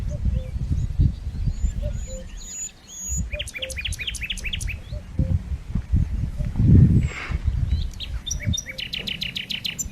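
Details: Dersim cuckoo, or pepuk, giving faint low double notes at regular gaps beneath rumbling low noise, while other birds add rapid trills and chirps higher up.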